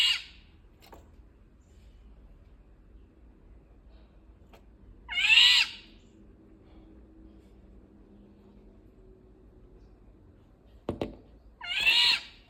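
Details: Harsh, nasal, cat-like squawks from an Indian golden oriole, three calls spaced several seconds apart, each short and rasping with a falling tail; a few sharp knocks between them.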